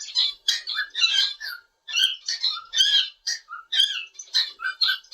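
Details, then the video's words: A pet cockatiel perched on a curtain bar indoors, singing: a busy run of harsh squawky chirps mixed with short clear whistles, bursts packed closely with brief pauses. "just my cute annoying cockatiel sing all day"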